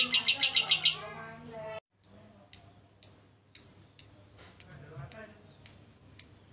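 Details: Lovebird recording meant to stir lazy birds: a short burst of fast pulsed chatter, a pause, then crisp high ticks repeated about every half second.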